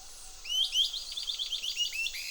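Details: Bicolored antbirds following an army ant swarm in Panama's tropical forest give a quick run of high, clear whistled chirps, each note sliding up then down, about six per second, over faint forest hiss.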